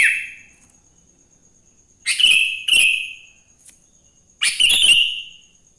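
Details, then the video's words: Morning song of a wild sooty-headed bulbul, used to encourage other bulbuls to sing: a fading note at the start, then two quick bubbly phrases and a final stuttering, chattering phrase. "Suara Burung kutilang GACOR di Pagi hari‼️ Joss Buat Pancingan Kutilang Bahan Agar Cepat Bunyi"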